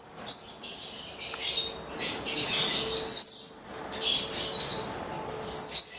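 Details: Italian pair of Goldie's lorikeets (Charmosyna goliathina), nine months old, giving thin, shrill, overlapping screeches in quick bursts every second or so, over a faint steady mechanical hum.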